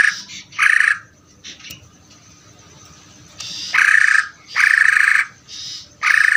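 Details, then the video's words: Greater green leafbird in its ngeder song: a loud buzzy burst and a few faint notes, then a quiet gap of about two seconds, then a run of four harsh, rasping bursts. "cucak ijo ngeder"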